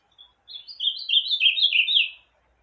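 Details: Ultramarine grosbeak, a kept bird just after bathing, gives a single clear song phrase of sweet whistled notes that slide and step downward, ending in a slurred flourish, in a quiet room.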